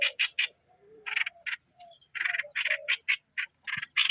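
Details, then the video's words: Streak-eared bulbul decoy bird giving scattered harsh buzzy notes in short groups, separated by gaps and a few soft lower whistles, in a quiet setting. "เสียซอ เสียงนกต่อ นกปรอทสวน"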